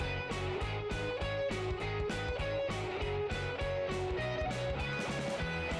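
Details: Strummed guitar music with a steady beat fills the whole recording, and no animal sound can be picked out.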